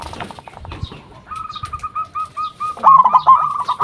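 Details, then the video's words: Local zebra dove used as a lure bird to make other zebra doves respond: a string of soft, even, steady coo notes builds into a louder, rapid bubbling trill near the end, with faint background rustling. "Perkutut Lokal Gacor RAJA PIKAT Ahlinya Bikin Semua Burung Perkutut Pada Nyaut"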